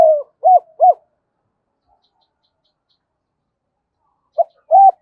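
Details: A captive spotted dove calls as a lure for wild doves. Two short, hollow hoots close one phrase, a long silence follows, and a new phrase of low coos begins at the end.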